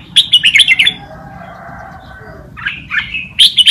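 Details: Red-whiskered bulbul tutor song, played for teaching young birds: bursts of bright chirpy warbling phrases at the start and end, with a quieter gap of low hum between.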